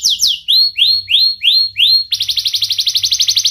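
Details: Young canary with a sharp voice, a master lure for young and lazy canaries: six loud swooping upward whistles, each about a third of a second apart, then a very rapid, high, evenly repeated trill.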